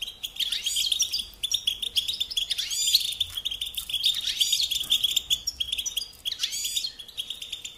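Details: European goldfinch delivering repeated twittering song phrases with sharp rising and falling slurs roughly every one to two seconds, backed by a dense, unbroken chorus of similar high chirps.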